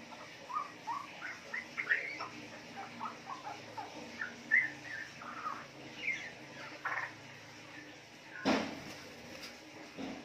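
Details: Juvenile captive female Straw-headed Bulbul, four months old, from wild-type parents in Yogyakarta, Indonesia, chattering riwik notes: short rising and falling twitters in a loose series, with a sharp knock near the end.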